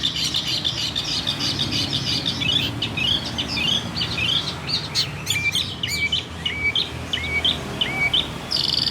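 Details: Local long-tailed shrike from Banyuwangi, Indonesia, kept in a cage, a bird said to sing loudly and copy other species: rapid mixed twittering, then five clear hooked whistles dropping in pitch, repeated about every second.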